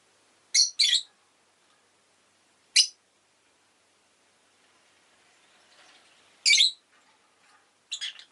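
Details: Rosy-faced lovebird giving sharp, high, harsh chirps: a quick double burst near the start, a lone chirp just before three seconds, then a loud chirp and a final pair toward the end, with faint background hum between.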